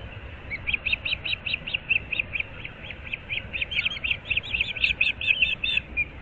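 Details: High, evenly spaced whistled chirps from an osprey pair at its nest in Moorings Park, Naples, Florida, on an April 2024 morning. The notes speed up and overlap near the end, with a low background hum.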